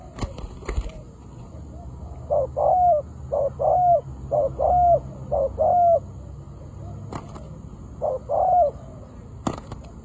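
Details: Spotted dove coos during trapping with a decoy bird: a run of paired, mellow hooting notes repeated about once a second, a pause, then one more pair, with sharp knocking clicks scattered around.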